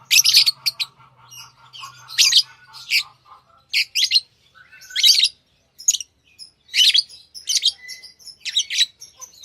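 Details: Pet lovebirds chirp loudly and repeatedly, with high, scratchy notes coming in quick groups and a soft low hum early on.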